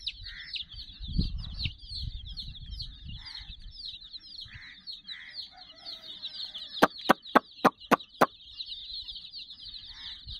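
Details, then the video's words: Sixty chicks pressing around a puppy teddy keep up a continuous high peeping, with occasional lower calls. A run of five sharp, loud taps sounds near the end. "silly chicks chirping"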